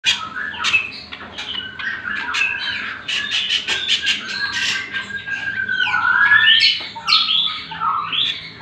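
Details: Leafbird song used as a master recording for training other birds: a dense, varied run of whistles, chatters and sweeping notes, mostly high-pitched, with a faint steady hum underneath.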